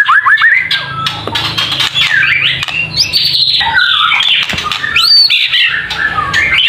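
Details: White-rumped shama provoked into emotional, agitated singing: loud, rapid torrent of rich whistles, slurred rising and falling phrases and harsh buzzy notes, delivered without pause throughout.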